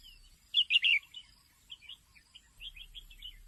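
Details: Three loud, bright slurred notes from a female red-whiskered bulbul, followed by a string of softer, more distant chirps; the call is meant to rouse males.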